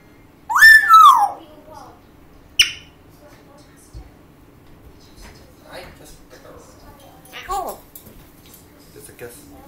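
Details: Rio, a 1-year-old female pet African grey parrot (Psittacus erithacus), sings in a small room: a loud, rich whistled phrase sliding up and down, then a sharp click and a few quieter whistles and squeaks.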